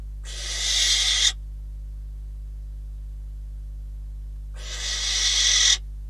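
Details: At a barn owl nest in Catalonia, recorded on 12 December 2021 by a live camera during prey deliveries, two rasping, hiss-like screeches of about a second each, building in loudness and spaced roughly three seconds apart.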